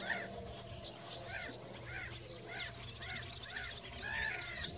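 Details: Marsh sandpiper in the lower Bug valley on 8 June 2020, giving short, arched whistled notes about once a second over a busy wetland chorus of other birds and a low hum.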